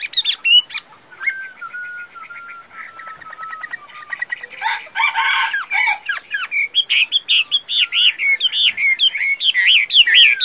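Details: Tame Chinese hwamei, described as a good singer and good fighter, giving loud, varied fighting song: a long falling whistle, then a burst of harsh notes and rapid, looping warbled phrases repeated about twice a second.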